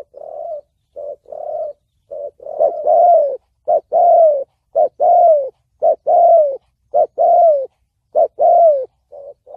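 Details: A spotted dove in the 'thổ bầu' voice, a call used to provoke wild doves for trapping and decoy training; soft coos open the phrase, then loud rhythmic two-part hoots, a quick upswing followed by a drawn-out falling coo.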